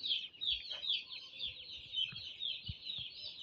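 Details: Broiler chicks kept under winter brooding, a crowd peeping together in a continuous high shrill chorus of overlapping short cheeps, with low thumps and shuffling noises.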